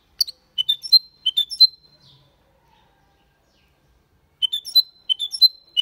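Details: Goldfinch × canary hybrid singing without errors in the Malaga style, 2022: two short bursts of high chirps and thin whistled notes, separated by about two and a half seconds of silence.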